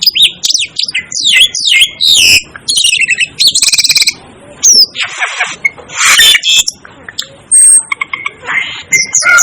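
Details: Shrill descending whistles and harsh chattering from the Asian glossy starling, tumbling together in fast bursts with occasional brief pauses.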